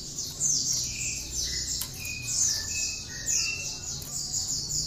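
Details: High, ringing cinereous tit phrases repeat in a steady rhythm, with lower whistled notes between them, in a song mixed with bar-winged prinia notes and kept for training other songbirds.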